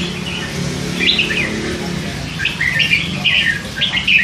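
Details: Caged red-whiskered bulbul chick, hand-reared and three months old, gives short liquid whistled notes in a loose series of bursts over a steady low hum.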